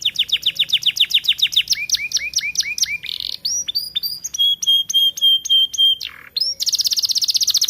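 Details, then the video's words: Young canary in an aviary beginning to sing: rapid trills of repeated high chirps, several per second, shifting to dipping notes, a long steady whistled tone, then a buzzy high rattle. "Kenari muda mulai gacor"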